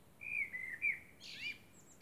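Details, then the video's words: At night beneath the moon, a common blackbird gives mellow fluting whistles that end in a short, high, scratchy twitter, in a calm, still setting. "Blackbird sings under the moon"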